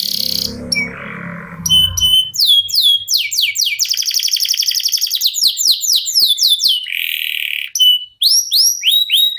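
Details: Canary singing a long unbroken song prized for singing contests: dense series of quick sweeping whistles, a buzzing trill mid-phrase, then looping rising notes, with a brief low rumble of background noise at the start.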